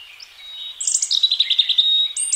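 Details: European robin, a wild bird singing in spring, delivers a rapid, liquid, high-pitched trill of repeated pulses, ending in a couple of very high, thin whistled notes.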